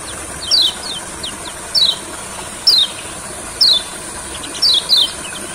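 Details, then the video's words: Olive-backed sunbird in a rice field: single and doubled high, descending chip notes roughly once a second, steady and sharp, with a thin constant whine in the background. "Terapi Kecial Kuning Di Sawah Gacornya Kumat.!!! Kecial Yang Denger Juga Ikut Kumat"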